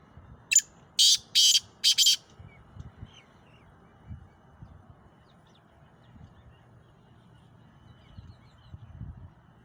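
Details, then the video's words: Male black francolin (kala teetar, described as a Sindhi teetar) calling: four harsh, rasping broadband notes in quick succession, the middle two longest, over the first two seconds. Quiet low rumble and faint distant chirps follow. "کالا تیتر کی اواز"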